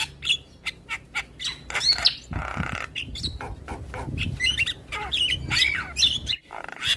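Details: Javan myna singing in the morning, reportedly prompting the neighbours' mynas to respond: scattered sharp chips and whistled flicks, a broad rasping burst midway, then busy chattering notes and short whistles.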